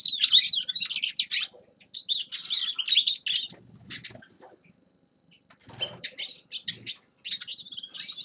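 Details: Grey-crowned goldfinch giving bursts of high, fast twittering phrases broken by short silences, with faint low rustling between them.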